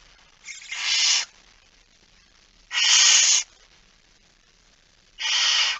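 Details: Barn owl, female with a mouse, 17 September 2019 at 06:11; three loud, breathy hissing screeches about a second long each, spaced roughly two seconds apart, over a quiet background.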